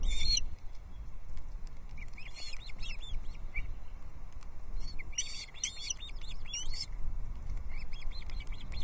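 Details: Wild osprey chicks on a nest at Loch Arkaig, Scotland, 13 June 2024, begging while three siblings squabble over a large trout brought by the male; short bursts of thin, rapid high chirps between pauses over steady low wind rumble.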